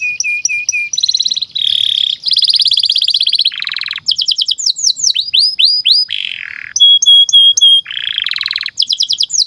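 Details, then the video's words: A Belgian canary sings a long, rapid medley of bright trills, buzzy rolls and rising whistled sweeps, changing phrase every second or so. "SUARA BURUNG Kenari GACOR PANJANG INI Cocok untuk Masteran KENARI PAUD dan Kenari Macet BUNYI"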